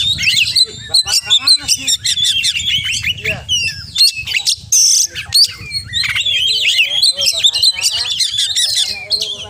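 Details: Oriental magpie-robin in full-isian song: dense, continuous high chatter of clipped whistles, trills and squeaky slurred notes with hardly a pause, and soft low music thumping underneath throughout.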